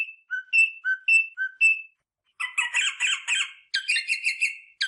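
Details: Rosella song meant to encourage mating: three pairs of short whistled notes, each high then low, followed after a pause by a long run of buzzy, rapid chattering phrases.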